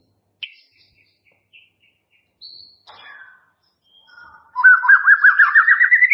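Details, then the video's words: A white-rumped shama sings clearly in near silence. Scattered short whistled notes at varied pitches come over about four seconds, then a loud, rapid trill climbs steadily in pitch to the end. "Suara Murai Batu Jernih"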